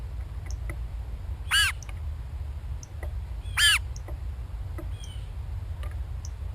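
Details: Two harsh, nasal jeers from a Blue Jay in the background of a gray catbird recording, about two seconds apart, with faint chirps from another bird and a low steady rumble behind.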